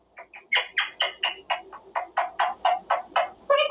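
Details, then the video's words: Male Quaker parrot during cage time, practising sounds: a steady series of about fourteen short raspy notes, roughly four per second, ending in a clearer tonal note. "Parrot practicing words - Talking Quaker parrot"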